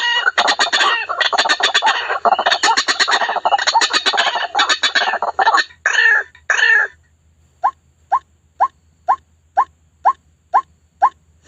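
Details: Trapping lure of white-breasted waterhen: a rapid, raspy, chattering burst of harsh notes for about seven seconds, then short, clear, single rising notes repeated evenly about twice per second after a brief pause.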